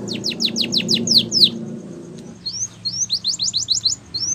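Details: A canary sings a training song: a quick run of steep downward sweeps, a brief pause, then a series of short rising whistled notes, over a low murmur.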